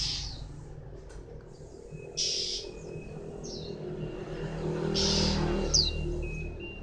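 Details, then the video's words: Male white-eye during moulting season: scattered high buzzy bursts and quick slurred chirps, plus faint thin whistled tones, with a rumbling low background. "Khuyên trống mùa thay lông"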